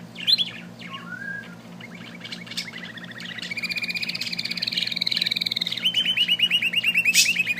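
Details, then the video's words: Small bird singing an extended song: scattered chirps give way to rapid rattling trills of repeated notes, then a long sustained trill at the end, with a low background hum. "amazing little bird singing"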